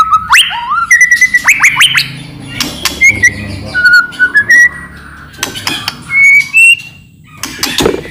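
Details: Loud murai batu (white-rumped shama) song played to make other shamas respond: quick upward-flicking whistles, then spaced clear whistled notes at varied pitches, with sharp clicks between phrases.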